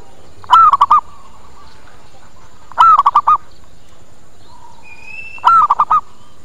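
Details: Zebra dove calling as a lure to attract other birds: three cooing phrases roughly every two and a half seconds, long coo then short staccato notes, with a faint thin whistle from another bird.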